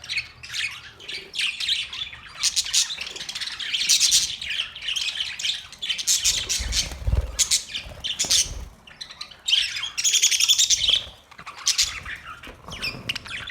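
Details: Australian parrots chattering noisily, harsh squawks mixed with fast chirps in a constant overlapping chorus, louder bursts near the end, a low thump midway.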